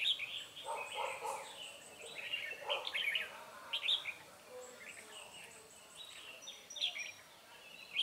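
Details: Red-whiskered bulbuls at a trapping site on 9 March 2020, a decoy luring a restless wild bird; busy, bubbly chirped phrases run almost continuously with sharp high accents and a few scattered lower notes.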